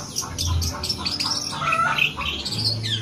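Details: Long-tailed shrike singing energetically and imitating a cat: a dense run of scratchy, chattering high notes with short whistled slides, almost continuous over three seconds, over a low steady hum.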